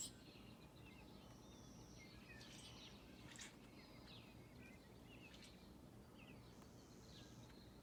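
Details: Wild birds singing in the morning outdoors: scattered short chirps and whistled notes, some rising and falling, over steady low rumbling background noise.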